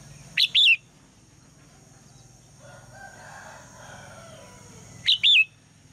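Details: A female red-whiskered bulbul calling in the morning to get the male to sing, giving two high, sharp two-note phrases about 4.5 seconds apart, the second note a wavering whistle; faint low murmuring between.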